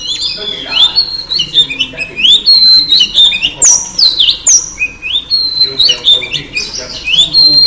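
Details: Female oriental magpie-robin, calling to draw a male into full song, gives dense, fast strings of clear whistles and sharp chirps, many rising or falling, repeated almost continuously with brief gaps.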